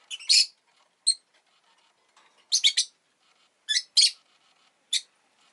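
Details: Pet rosy-faced lovebird kept indoors where an egg has been laid, giving loud, harsh, high chirps in short bursts of two or three, separated by pauses of about a second; faint street noise in the background.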